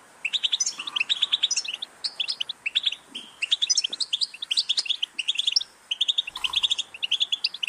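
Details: European goldfinch singing steadily, bubbling series of high tinkling notes and brief buzzes repeated in quick phrases, with a soft thump near the end.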